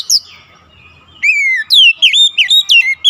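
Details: Persistent song of an oriental magpie-robin (kacer): after a short opening note and pause, a loud burst of slurred, looping whistles rising and falling rapidly, about a dozen notes.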